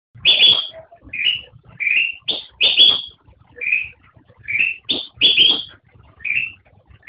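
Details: Black-crested bulbul song: short whistled notes and slurred phrases, alternating bright, slightly buzzy bursts with softer rising whistles, about a dozen notes over seven seconds, irregularly spaced.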